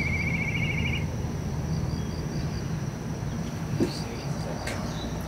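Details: Black kite calling from a rooftop in December 2023 gives about one second of a rapid, wavering, whistled trill. After it, a steady high pulsing drone and low background rumble continue, with faint voices.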